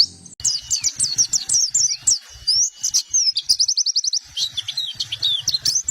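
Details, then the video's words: White-eye song used to lure birds and as a master song for training: rapid, high, thin twittering of sharp up-and-down whistled notes, with a quick trill run near the middle and short pauses between phrases. "Suara Pikat dan Master Kicau Burung Pleci"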